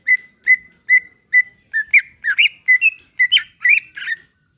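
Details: Relaxed song of a caged greater green leafbird, played to coax another bird into singing: it opens with evenly spaced short whistles on one pitch, then turns into faster, twisting warbled notes that swoop up and down.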